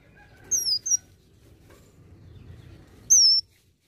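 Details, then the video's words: Singing olive-backed sunbird, song mixing in imitations of other birds: a pair of very high, thin, downslurred whistles, a quiet gap, then one more sharp descending whistle. "KONIN GACOR ISIAN VARIASI"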